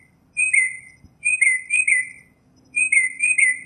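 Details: Singing Northern mockingbird (Mimus polyglottos) outdoors, repeating a short whistled, slightly rough phrase in pairs, with a brief click near the start and a faint steady low hum.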